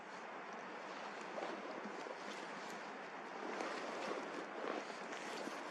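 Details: Gusty wind rumble, swelling and fading in waves, with no animal voice.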